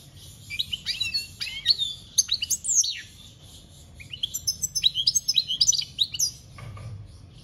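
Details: European goldfinch in full song, fast twittering phrases with rising and falling slurred whistles and tinkling chirps in two long bursts, with faint constant high hiss.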